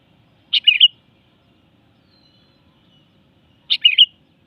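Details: Two matching bubbly phrases from a sooty-headed bulbul, about three seconds apart, each a sharp note followed by a quick rolling warble; quiet background between them.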